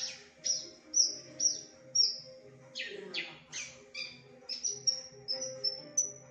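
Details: Javan bush lark singing a varied song imitating other birds such as canary, shrike and bulbul: thin high whistled notes repeated about once a second, broken midway by harsh buzzy bursts, over a faint low hum.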